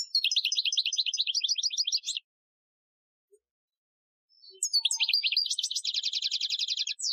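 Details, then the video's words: European goldfinch singing an Algerian-style training song recorded in 2015: a rapid burst of high tinkling, twittering notes, about two seconds of silence, then a longer run of fast chattering, repeated twittered phrases. "Chardonneret Chant Algerien 2015 , chant de dressage"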